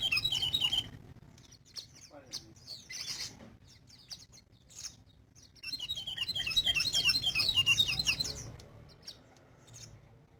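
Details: Sogon bird singing actively, a brief high twitter at the start, then sparse clicks before a dense run of quick, bright chirps from about five to eight seconds, with a low hum throughout.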